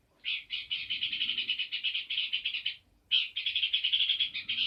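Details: Peor bird singing vigorously: two long runs of rapid, chattering chirps, the first lasting about two and a half seconds, then a brief pause before a second dense burst.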